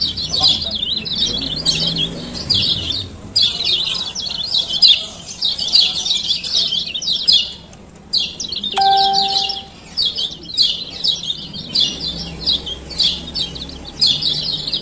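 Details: Kecial kuning male from Lombok in ciak ciak lure calling, meant to get stalled birds singing again: long runs of high scratchy chirps with brief pauses, a single ringing chime-like tone and low rumbling underneath.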